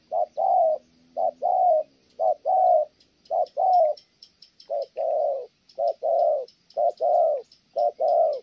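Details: Spotted dove repeats short-then-long low coos about once a second with a brief pause midway, a female breaking into its cooing.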